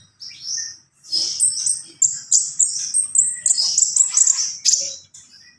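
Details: A Javan pied starling sings gacor full isian: a string of shrill, whistled notes and clipped squeaks repeated about twice a second, rising in intensity toward the middle.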